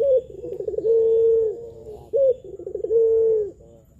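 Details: Spotted dove of the pelung style, used as a lure to prompt lazy or beginner doves to coo: a sharp opening note, a burst of bubbling trills, then a long level drawn-out coo, twice in four seconds.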